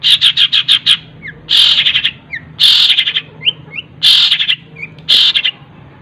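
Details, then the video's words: Long-tailed shrike song packed with mimicked phrases, delivered fast and joined together: rapid chattering trills alternate with soft short whistled notes, each trill lasting about half a second. "CENDET ISIAN TENGKEK BUTO SPEED RAPAT SAMBUNG GREJA SAMBUNG KUNTI"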